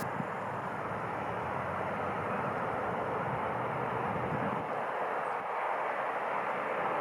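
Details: Dense engine drone like a passing aircraft or vehicle fills the outdoor scene, with no animal heard.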